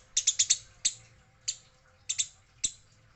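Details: Eurasian tree sparrow said to be fighting, female noted: scattered sharp, high chips, some in quick pairs or a run of four, with pauses between and a faint low hum behind.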